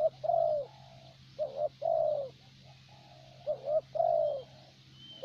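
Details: Thổ bầu spotted dove kept as a luring decoy in Vietnam gives repeated phrases: quick paired coos leading into a long, slightly descending coo, with softer sustained notes between phrases and a constant low hum.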